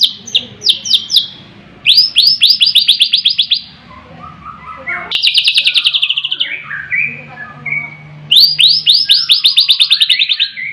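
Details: White-rumped shama delivering three bursts of fast, repeated high arched notes, each followed by lower whistled and warbled phrases, with a steady low hum underneath.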